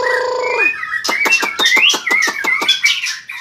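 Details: Caged white-rumped shama singing vigorously and flicking its tail: a harsh nasal rasp at the start, then a fast burst of sharp clicking notes mixed with bright whistled phrases.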